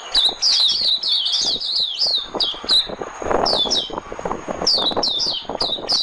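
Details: White-eye decoy song: dense, high, squeaky twittering with downslurred notes, then a softer stretch and renewed chirping toward the end.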